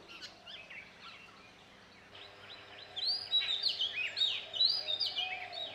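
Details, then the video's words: Male Oriental magpie-robin singing at dawn near Satpura, Central India: after quiet background noise, a burst of varied high whistled and chirping phrases begins midway, with rising and falling notes repeated in quick succession. "The Song Of The Oriental Magpie Robin"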